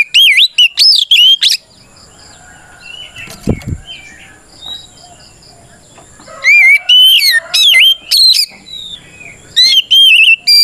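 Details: Oriental magpie-robin, a kacer in full fighting song meant to provoke rival birds: loud clear whistled phrases with rising and falling slurs in bursts at the start and again after six seconds, with a brief thump and softer background birds between.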